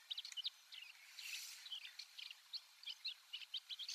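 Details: Wild Desert Wheatear, a passage migrant or winter visitor in Sakae, Chiba Prefecture, Japan, giving quiet subsong: a rambling stream of scratchy, high twittering notes and short chirps, some harsher buzzy bursts mixed in.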